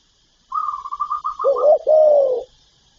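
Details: Spotted dove calling and cooing, used to stir caged decoy doves: a quick stuttering run of soft, slightly higher notes leads into two deeper, drawn-out hollow coos, all within two seconds, against quiet surroundings.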